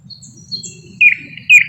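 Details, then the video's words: Two loud, sharp, slightly falling whistled notes about half a second apart from a thrush nightingale, Luscinia luscinia, a species whose song mimics other birds, with faint high notes before and low hum beneath. "How Thrush Nightingales Mimic Other Birds"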